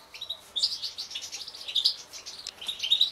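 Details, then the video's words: Twittering song from an aviary-bred European goldfinch mutation, Major line, 2016 breeding season: a dense run of bright chirps and trills with quick tinkling notes. "انتاج بعض طفرات الحسون chardonneret mutation"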